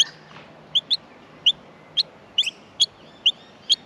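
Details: Australian miner nestlings in the nest at feeding time give short, high, sharp chirps, singly or in quick pairs, spaced unevenly about every half second over a quiet background.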